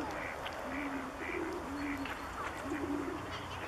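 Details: Bewick's swans in February 2014 at České Budějovice, Czech Republic; soft honking notes come in short groups about every second, over a continuous background murmur of further distant calls.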